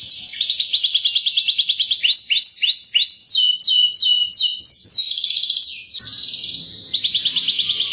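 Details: Canary singing a lure song, chirping used to draw other canaries into song; long fast-repeated rolling trills, a series of sweeping downslurred notes around the middle, then steady buzzy rolls to the end.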